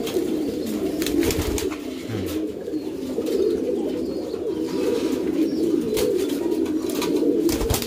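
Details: Loft of domesticated pouter pigeons giving a constant wash of low, rolling coos from many birds, swelling and easing slightly, with scattered knocks and rustling.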